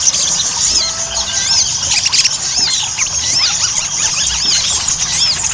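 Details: Sogon (Ruby-cheeked sunbird) chattering song in gacor ngobra style as a singing lure: a thick tangle of high, squeaky arching notes, briefly denser around the second mark, running throughout.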